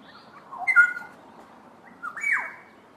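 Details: Black-headed Oriole duet between two birds: a mellow whistled phrase with flat sustained tones, then after a pause a rising note dropping into a rasping downward slur.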